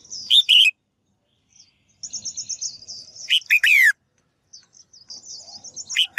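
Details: Female bird calling to prompt males to sing briskly. A series of fast, high twittering notes runs between harsh paired bursts, one of which has a long buzzy descending note, and the clip ends with another sharp call.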